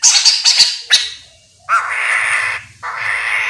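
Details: Chestnut-capped laughingthrush singing actively, a recording used as a lure to draw other birds of its kind to answer: a quick run of high thin whistled notes, then two long, loud, harsh rasping bursts.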